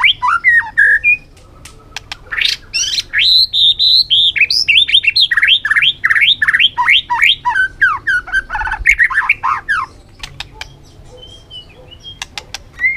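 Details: White-rumped shama singing a rich training song of many forest voices: long, dense passages of quick, varied whistles and slurs, broken by short gaps and sharp ticking notes near the end.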